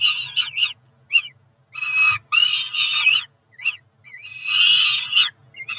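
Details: Peregrine falcon chicks, about four weeks old, in a Cromer nest filmed by nest camera during a morning feed in June 2023, calling in loud grating bursts of half a second to a second, separated by short silences.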